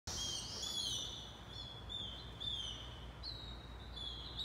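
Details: Say's phoebe nestlings begging as their mother feeds them, hungry and nearly ready to leave the nest: thin, high, continuous squeaky notes, each one rising and then held, repeated about once a second over a low background rumble.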